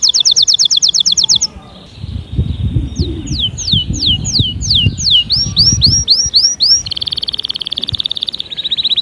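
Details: Canary singing a string of tours: a fast high trill, a flat buzzy stretch, then a series of clear downward-swooping whistles repeated several times a second, and a final rapid rattle. A low background rumble is present.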